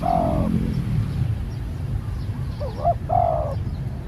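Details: Newly trained spotted dove cooing twice, each phrase closing with a drawn-out, slightly falling coo; quick rising and falling lead-in notes before the second coo, with a steady low-pitched rumble throughout.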